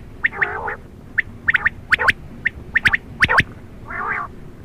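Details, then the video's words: Quail calling at night: clusters of short, sharp, high notes, some doubled or tripled, framed by a buzzy, purring burst at the start and another near the end, over a low background hiss. "Quail Sound Of 2023|Night Sound|Batair Voice"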